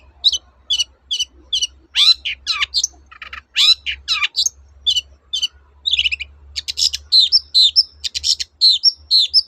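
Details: Long-tailed shrike song used to provoke silent shrikes: evenly spaced high chirps, then rasping downward sweeps, more chirps and a dense stretch of scratchy notes and whistles, a low hum beneath throughout.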